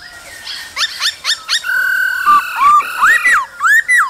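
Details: Male laughingthrush in the cold season, singing and dancing to female calls: quick rising chirps, then a held whistle and a run of arched, looping whistled notes.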